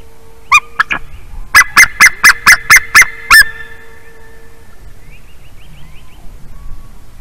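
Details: Wild white-tailed eagle at 7:56 AM on 11 March 2019, calling a lot after a big bird flew past over a meadow; a rapid series of about eight sharp, yelping notes, with a steady faint hum behind.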